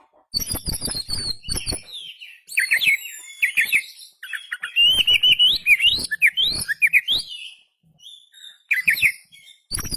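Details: Oriental magpie-robin in lively song, tail spread: dense runs of sharp chirps, rising whistles and high thin notes, with brief pauses between bursts.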